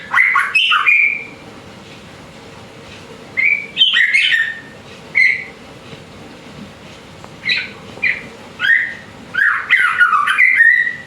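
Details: Young male white-rumped shama, still in spotted juvenile plumage, singing energetically: clear whistled phrases with rising and falling slurs, some trills and sharp high notes, in bursts separated by short pauses over a steady background hiss.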